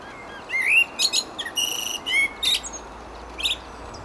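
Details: A common blackbird sings on a windy day. A fluty, rising warble opens the phrase, followed by squeaky twittering notes and high chirps in short bursts over about three seconds, with a low, steady wind rush throughout.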